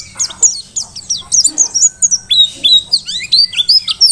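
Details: Energetic Merapi dakun mountain white-eye song meant for training other birds: thin, high downslurred chirps repeated rapidly, some doubled, forming a lively, chattering twitter.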